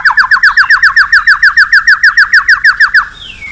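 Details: Lure recording of a white-rumped shama calling a rival: a rapid series of identical sharp downslurred notes, around five per second, for three seconds, then a faint fading whistle.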